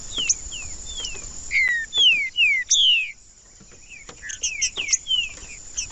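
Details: Green-winged saltator singing, a recording meant to warm up and stimulate a caged bird: loud, descending whistled slurs in rapid bursts, a brief pause, then more scattered downward whistles, with a constant thin high buzz behind.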